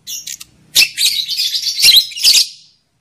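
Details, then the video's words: Lovebird chatter used as a lure sound to excite males and bring females into breeding condition: a few thin squeaks, then a continuous, piercing, twittering run of high notes lasting about two seconds. "SUARA PANCINGAN UNTUK MENAIKAN BIRAHI EMOSI JANTAN DAN JEBOL BIRAHI LOVEBIRD BETINA"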